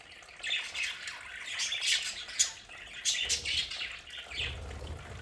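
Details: Budgerigars kept at home in a play area chatter steadily with a mix of chirps and short squawks, with a low rumble near the end.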